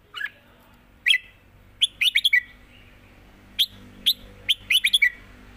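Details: Singing contest of caged red-whiskered bulbuls in Thailand, southern style: sharp whistled chirps in two bursts of rapid notes with a low hum beneath.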